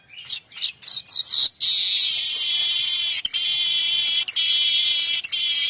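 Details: Streaked weaver song, a varied tutor song for magpie robins and other songbirds. Several quick, scratchy chattering notes give way to a loud, continuous wheezy buzz lasting about four seconds, broken only by brief clicks.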